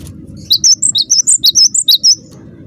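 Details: Cinereous tit (gelatik batu) calling actively to get other birds of its kind to respond: roughly eleven crisp, high alternating whistles in an even, rapid sequence, framed by quiet low background noise.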